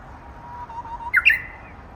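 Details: Japanese bush warbler giving an odd, unusual song, thought to come from an immature bird still practising: a long, steady mid-pitched whistle, then a quick, louder flourish that jumps up and drops back, ending in a short trailing note.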